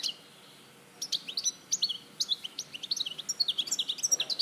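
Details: A European goldfinch in Larache, 2014, opens with a single chirp, goes quiet briefly, then launches into a rapid series of sharp, high, tinkling notes that grow steadily denser and more rhythmic toward the end.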